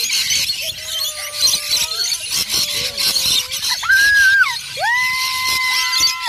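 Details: Rainbow lorikeets being fed at Currumbin Wildlife Sanctuary, Australia: a dense, harsh screeching chatter from many birds fills the scene, overlaid by sustained, level whistle-like tones that rise and fall in steps.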